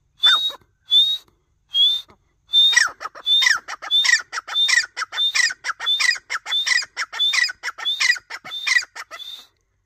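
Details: Male partridge voice: several sharp, upward-slurred whistles at first, then a faster run of whistles mixed with harsher chattering notes, closely repeated for several seconds.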